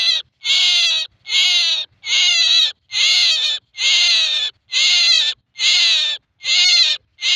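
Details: Common myna, male, calling: long harsh grating notes, each about half a second, repeated steadily roughly once per second.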